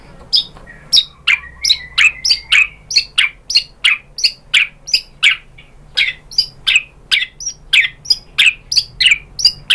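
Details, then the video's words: White-rumped shama song to elicit replies from other shamas, a long steady series of sharp, high, downward-slurred chips about one and a half per second. "SUARA MURAI BATU bikin BUNYI jadi NYAUT GACOR"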